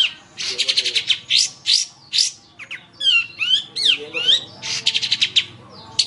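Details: Long-tailed shrike training song for teaching other birds: a varied run of rapid buzzy bursts mixed with sharp upslurred and downslurred whistled notes, phrases changing every second or so, over a quiet background.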